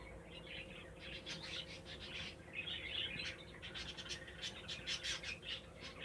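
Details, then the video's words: Canary singing in nature: faint, rapid high chirps and short trills in uneven bursts over a steady low hum and background noise. "صوت كنار رهيب في الطبيعة"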